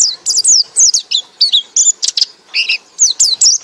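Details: Ngekek-style white-eye song: a dense, loud run of very high, sharply descending whistled notes and chirps, delivered almost without pause across the whole stretch.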